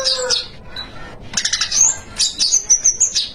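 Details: Spiderhunter singing actively in 'gacor' style with 'isian' phrases: a low whistled note, then sharp high chirps that build into a fast, evenly pulsed series of piercing notes.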